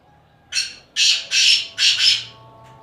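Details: Black francolin calling: four harsh, broadband grating notes in quick succession, a short first note then longer rasping ones, in a quiet setting.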